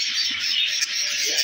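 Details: A crowd of budgerigars at a breeding farm in September 2022 chatters at once, a dense wash of high warbling chirps and squeaks.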